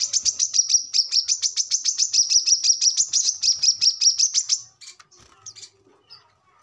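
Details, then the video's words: Brown-throated sunbird chattering in 'ngobra' style, a recording meant to coax captive birds into singing; a fast, even series of high sharp chips for several seconds, then fading into a few soft scattered notes. "kolibri kelapa | manggar | wiceh | korlap ngobra gacor"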